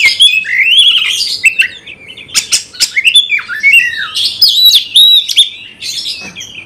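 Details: Caged Oriental magpie-robin singing to spark a fighting response; warbled rising and falling whistles, sharp clicks and buzzy phrases flowing in a continuous, vigorous medley.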